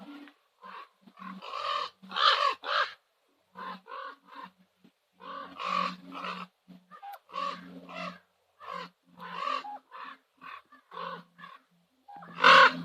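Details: Common ravens calling at sunset on Nose Hill, Calgary: a long, uneven series of short, harsh, nasal croaks, some in quick pairs or triplets, rising to a loud final call.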